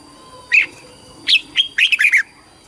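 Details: Red-whiskered bulbul in competition-style song used for voice training and calling the flock: a single sharp whistle, a pause, then a hurried run of five bright, slurred notes.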